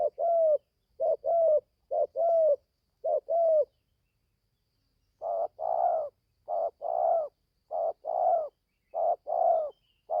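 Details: Young spotted dove from Gia Lai, Vietnam, newly starting to coo on its first forest training outing: mellow mid-pitched coos in clusters of two or three, a brief silence, then a longer steady series of paired hooting notes.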